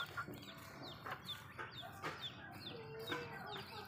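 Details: Backyard Malay chickens eating food at home: a steady stream of short, downward-sliding peeps with soft low clucks and faint clicking pecks, with a quiet murmur underneath.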